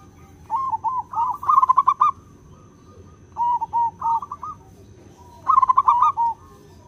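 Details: Actively singing local wild-type zebra dove, song used as a lure: three phrases of bubbling, rapidly repeated coos, each a cluster of short notes followed by a brief pause, clean and free of other sounds.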